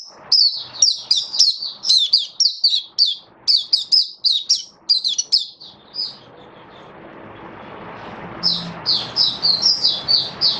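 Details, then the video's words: Hobby-kept oriental white-eye in full buka sing (opening song) display: long, rapid series of high, slurred chirps, a short pause with soft background hiss, then another lively run of similar notes. "Mata Puteh Buka Sing"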